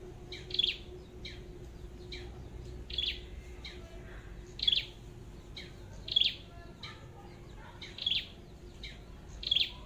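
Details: Red-headed flowerpecker at a trapping site with a decoy bird: sharp, high, clicking chip notes given singly about every one to one and a half seconds, with faint low background hum.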